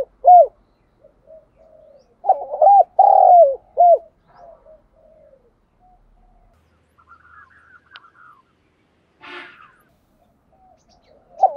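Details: Spotted dove kept as a decoy bird in Vietnam, calling to lure wild doves: low, hollow, rounded coos given in short clustered bursts with pauses, plus faint higher chirps in the background.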